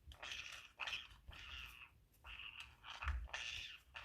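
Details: Green-cheeked conure, a pet female nestled in a pocket she is wrecking indoors, possibly wanting to mate: loud, harsh, buzzy squawks, each about half a second long, separated by brief pauses.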